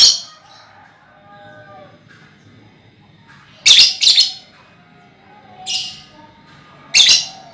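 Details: Lovebird colony sounds as a trilling lure: harsh shrill screeches, a doubled burst mid-clip then single calls about a second apart, with faint thin whistled notes underneath.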